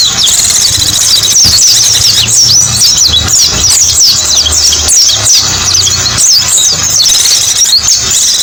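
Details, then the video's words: Mountain white-eye (pleci buxtoni) song used as a lure: a fast, continuous stream of very high, thin, sliding whistles and twitters, loud and dense, over a low engine-like rumble. "MP3 SUARA BURUNG PLECI"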